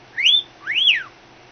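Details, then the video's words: Pet cockatiel imitating a phone ringing indoors: two clear whistled notes, the first rising then levelling, the second arching up and sliding down, with quiet room hum. "Cockatiel imitates phone"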